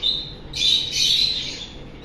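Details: Pet parrot giving two loud, harsh, high squawks in quick succession, each lasting about half a second.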